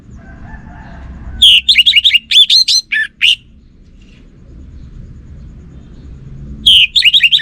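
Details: Kept orange-headed thrush singing 'gacor', continuously: a rapid run of bright whistled and chattering notes lasting about two seconds, then quiet, then a similar phrase beginning again, over low background noise.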